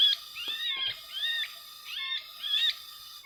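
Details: Sooty-headed bulbul calls recorded during bird-luring for capture without glue in West Lampung: bright, bubbly whistled phrases sliding between rising and falling notes, given in short bursts over a steady high tonal drone.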